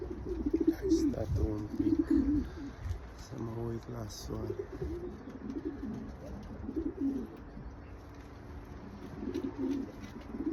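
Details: Breeding pair of pigeons: low, rolling coos come in bursts at the start and again near the end, while human voices talk in the middle.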